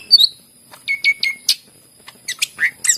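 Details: Greater green leafbird, used to prompt reluctant leafbirds to sing: a few short harsh squawky notes and clipped whistles with pauses between them.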